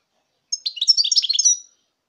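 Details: A single phrase of European goldfinch song, recorded in 2019: about one second of fast, tinkling, high-pitched twitters tumbling together, clear against silence.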